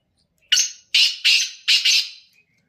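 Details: Black francolin calling: four harsh, grating, loud notes in close succession, the first single and the rest in a quick pair then a doubled note, all within two seconds, no other sounds.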